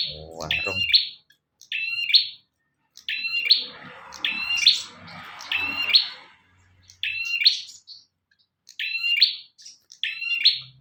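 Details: Bar-winged prinia song captured for use as a master recording: about eight bright, buzzy rising phrases with chipping tips, spaced roughly one to two seconds apart, with a brief low thud at the start and a rustle in the middle.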